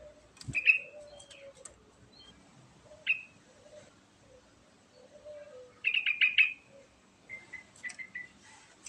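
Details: Sooty-headed bulbul singing lively, bubbly phrases: a single note early, then a rapid burst of liquid chuckling notes, over a softer background of lower whistles from another bird and faint ambient noise.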